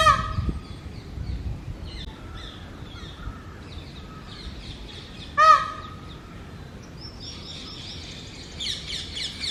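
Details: ['Breeding-season male Indian peafowl holding territory atop a house: a sharp, loud honking wail near the middle stands out among many chirping and twittering small birds.']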